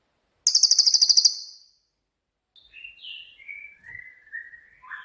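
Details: Cililin, a bird with a rapid 'tembakan' (shooting) style song kept as a master for training songbirds: one loud, very high buzzy rattle of about ten fast pulses, then a quiet run of thin whistled notes sliding downward.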